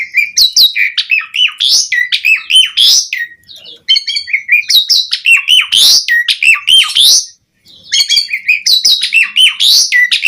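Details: Javan pied starling singing energetically as a lure to prompt other starlings to sing: loud, varied bursts of whistled and harsh notes, many sweeping and chattering phrases in dense runs, broken by short pauses near four and seven seconds.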